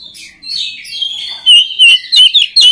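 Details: Oriental magpie-robin song to train other magpie-robins: soft warbling rises into loud, clear whistled notes repeated in short bursts.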